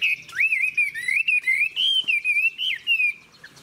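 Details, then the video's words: Chinese hwamei song from a mature wild-caught bird with a fig-leaf tail: a continuous, fluid warbled whistle wavering up and down in tone, broken into quick rhythmic pulses, clear and loud. "Họa mi già rừng hót hay"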